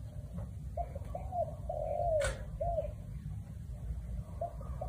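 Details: Spotted dove cooing in the "1 kuk" style: soft, low coos, then a long, slurred note that falls in pitch, then a short final coo. A steady low rumble runs underneath, with one sharp click.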